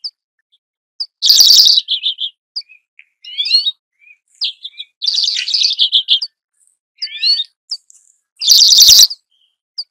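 A redpoll gives high, rapid twittering and chattering calls in short clustered bursts, with a few harsher buzzy rasps mixed in.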